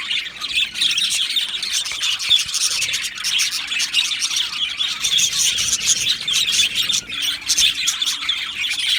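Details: Budgerigar colony kept in an aviary: a steady chorus of many small birds chirping and chattering together, bright high twitters overlapping without pause.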